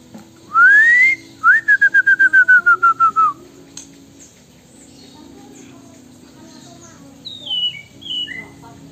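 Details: Magpie robin singing a song filled with imitations of Chinese hwamei and wambi, picked up from the wrong company and a lack of tutor birds nearby: a rising whistle, then a run of about ten clear, slightly descending whistled notes, later high thin slurred notes.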